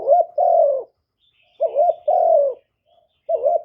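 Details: Kept spotted dove calling as a decoy for wild doves: three repeated phrases, each a wobbling short coo joined to a longer falling coo, spaced about one and a half seconds apart.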